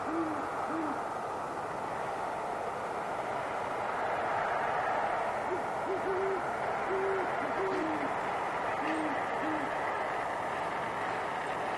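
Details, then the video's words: Nighttime exchange between a great horned owl pair in a tree near Boulder, Colorado, January 21, 2016, filmed on a Sony A7s: a long run of deep paired hoots at irregular spacing, voices alternating and overlapping, over broad hiss and distant rumble. "Great Horned Owl Couple Hooting in Conversation"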